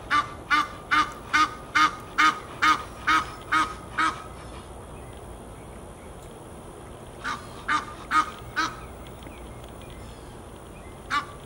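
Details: Geese at Fort Lauderdale, Florida, USA: a steady run of loud nasal honks roughly every half second, a pause, then scattered single honks over a faint constant hum.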